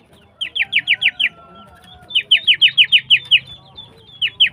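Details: Female greater green leafbird in full, energetic song: rapid bursts of bright, downslurred notes, about six, then eight, then two more, with short pauses between. A faint steady whistled tone runs underneath.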